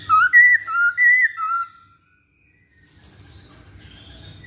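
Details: Masked laughingthrush lure song: a rapid run of five clear, wavering whistles within about two seconds, then quiet with faint distant sounds.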